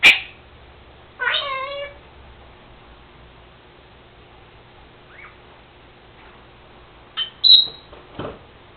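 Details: Pet Senegal parrot in a quiet room giving one nasal, harmonic call. After a long pause come a short high whistled note and a few sharp clicks.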